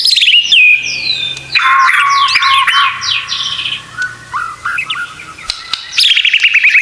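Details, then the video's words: White-rumped shama (murai batu) tutor song with full 'tembakan' phrases, used to train caged birds: loud, varied whistled phrases sliding down, dense high chatter, then a pause and a fresh burst of descending notes. "Masteran Murai Batu Full Isian Tembakan"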